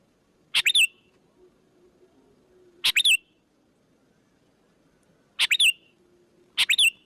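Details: Lure call of a sooty-headed bulbul, meant to bring other bulbuls in: four bright bursts of two or three rapid high chirps, separated by gaps of one to two and a half seconds over quiet background.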